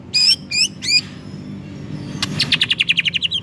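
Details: White-rumped shama used as a lure to provoke another shama into singing: three loud slurred whistled phrases with harmonics, a pause, then a fast series of about ten sharp repeated notes over low background hum.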